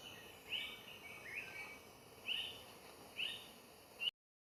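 Five sharp, high notes, each dropping slightly at the end, come about once a second over a steady hiss of background noise.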